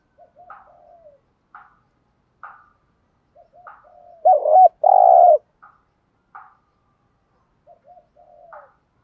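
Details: Spotted dove used as a decoy, training newly caught doves: soft low murmured notes and short higher chirps repeat throughout, around one loud buzzy double coo near the middle.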